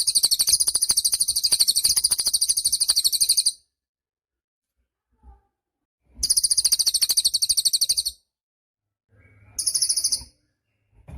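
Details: Lively cililin song for tutoring other songbirds: rapid, shrill, rattling trills of fast pulses delivered in bursts of two to three seconds, then a shorter final burst, with quiet gaps between and a few soft clicks.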